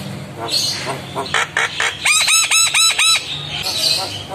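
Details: A Javan myna in full song, reacting with head-bobbing to a lure of other mynas: scratchy clicks and bursts, then five quick, ringing, arched whistles in a row, with faint background chatter.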